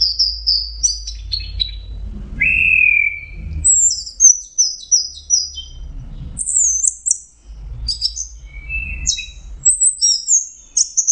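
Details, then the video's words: Orange-headed thrush singing a varied sequence of high whistles, one long lower whistle, and quick chirped bursts, separated by brief pauses, with low rumbling background noise. "Burung anis merah jenis burung kicau mahal dan suaranya merdu"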